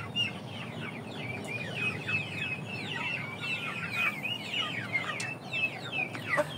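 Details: Hungry chicks waiting to be fed, a flock calling nonstop: dozens of high, falling peeps overlapping, with occasional sharp knocks and clicks.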